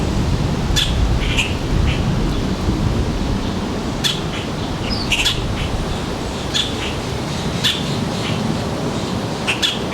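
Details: Mixed birds at a suburban backyard feeder in northern New Jersey, July 3, 2022, around 4 p.m., during fledging season: scattered short, sharp chirps at irregular intervals over a steady low rumble of background noise.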